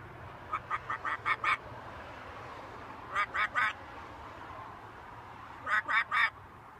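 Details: A pet macaw hanging out on a balcony gives harsh nasal squawks in three bursts, six quick notes, then three, then three, separated by pauses, over low background hum.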